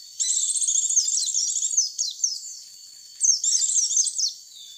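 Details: White-eye lure call: nearly two seconds of fast, very high twittering, a few sliding chirps, a quiet pause, then another short burst of thin chattering notes.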